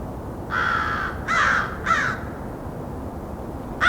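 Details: American Crow close by in a white spruce grove beside a white pine forest during a winter Christmas Bird Count, about five crows present, giving three harsh, nasal caws in quick succession, a fourth starting, over faint hiss.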